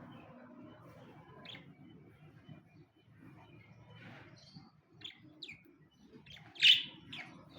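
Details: Two pet budgerigars; scattered short, sharp chirps over a low, quiet indoor murmur, spaced a second or so apart, ending in one loud, bright chirp near the end.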